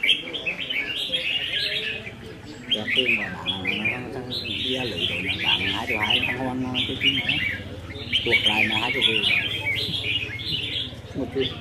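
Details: Several caged red-whiskered bulbuls singing against each other in contest practice, 15 May 2021: dense overlapping chattering phrases, a steady low hum, and frequent men's talk.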